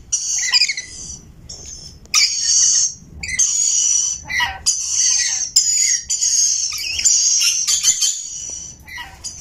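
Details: Rainbow lorikeet chirping in shrill, high-pitched bursts that come in dense runs of a second or so, broken by short silences and a few sharp clicks.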